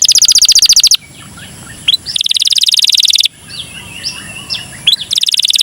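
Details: Canary in cengkok mewah song, a lure for other canaries. Bursts of very rapid, high trilling alternate with quieter gaps that hold scattered thin chirps and a low background rumble.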